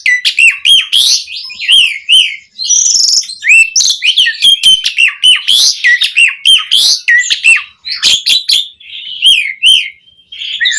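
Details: Asian pied starling in full 'isian' variation song, 'gacor' style, made for starling tutoring: an almost continuous stream of whistled slurs, rattling clicks and harsh buzzes, with only brief pauses over about eleven seconds.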